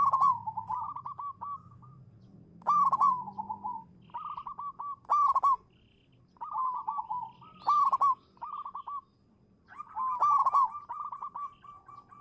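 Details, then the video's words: Singing local zebra dove used as a champion lure bird: rolling, bubbling coos, each phrase led by a loud stuttered burst and trailed by softer notes. Phrases repeat about every two to three seconds over quiet background. "suara burung perkutut lokal manggung juara pancingan"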